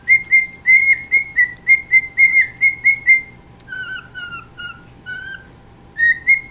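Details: A pet cockatiel singing to the household chihuahua whistles a rapid run of clear, repeated notes, then a few lower, slurred phrases.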